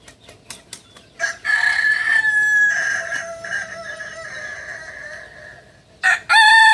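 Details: Native Solok, West Sumatra kukuak balenggek rooster: a drawn-out, strained crow with a long sustained high note that sags into a lower tail, after a few soft clucks, then the sharp start of a new crow.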